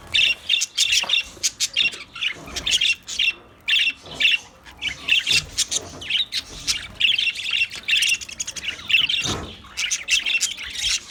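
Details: White budgerigars calling in a busy run of short, harsh chirps and squawks, bursts packed closely and repeated through the whole stretch with brief pauses.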